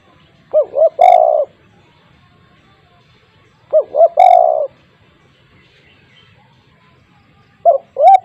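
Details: Calling spotted dove at a home, used to prompt quiet doves to answer: paired short rising coos run into a longer sustained coo, the phrase repeating about every three seconds.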